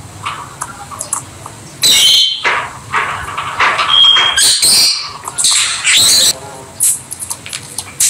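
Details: Pet Peach-faced (Rosy-faced) Lovebirds playing together give loud, shrill, rasping chirps and screeches in irregular bursts, with one brief pure whistle among them and a low background hum.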